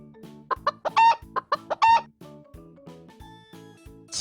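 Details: Domestic chicken on a farm clucking in a quick burst of about eight short, choppy clucks over the first two seconds, then falling quiet while bouncy children's music plays steadily underneath.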